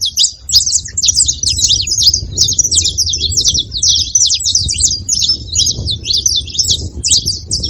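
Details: Saffron finches in a group calling together, a dense stream of sharp, high chirps and short trilled notes overlapping without pause, with low rumbling background noise.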